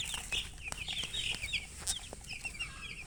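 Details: Baby chicks, thirsty for drinking water, peeping in a poultry setting: many short high chirps overlapping in quick succession, with clicks and knocks in the background.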